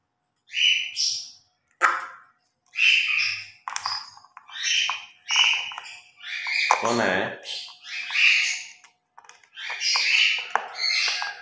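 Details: Pet grey parrots talking during morning play: a string of short word-like phrases and whistled syllables, roughly one every second, with one longer throaty squawk midway.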